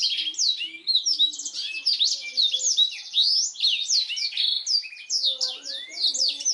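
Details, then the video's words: Black-throated canary song for training canaries: rapid sequence of high chirps, a buzzy sustained trill early on, then varied sweeping whistles repeated in quick succession, with faint lower chirps in the background. "BLACKTHROAT GACOR SUARA JERNIH UNTUK MASTERAN KENARI"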